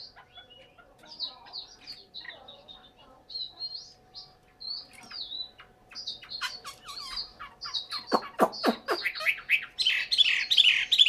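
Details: Caged Chinese hwamei kept in Hanoi, Vietnam, singing varied high whistled phrases, some slurred and rising, that build into loud repeated sharp strokes and end in a rapid, rich trill. A faint steady hum runs underneath.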